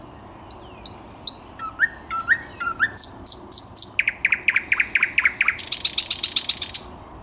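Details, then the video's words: Song of a thrush nightingale, recorded 10 May 2021, building from thin high whistles to sharp snapping notes, a series of strong downslurred phrases and a closing rapid rattling trill. "Słowik Szary"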